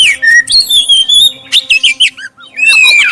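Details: Clear song of a black-breasted oriental magpie-robin meant to provoke other birds into singing: long level whistles, then a quick series of rising and falling notes, a short gap and a descending whistled phrase.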